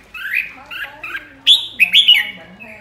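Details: Flock-leading red-whiskered bulbul singing ché style: a few short chirpy notes, then loud, clear, slurred whistles that rise and fall, ending on a trailing note.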